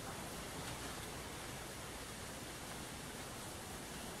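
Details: Steady, even rushing noise like falling water fills the recording, with no animal voice heard.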